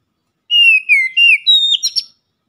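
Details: Oriental magpie-robin in loud ngeplong lure song for daily use: clear whistled notes falling from high to mid pitch, three long slurred phrases then a quick burst of sharp chirps, in silence.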